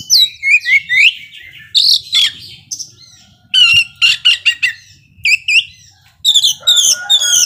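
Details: Oriental magpie-robin in provoking song aimed at slower-tempered birds: bursts of looping whistles and harsh scratchy chatter separated by short gaps, ending in rapid clipped notes.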